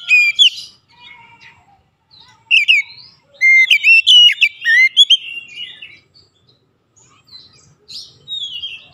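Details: Oriental magpie-robin challenging a rival, with a varied whistled song of sharp rising and falling notes in bursts, the loudest run in the middle, separated by quieter, softer phrases and brief pauses.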